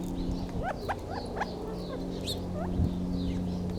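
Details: Short, upward-swept chip notes from Gambel's quail come in quick irregular bursts over a droning low hum, with a few thin high notes above.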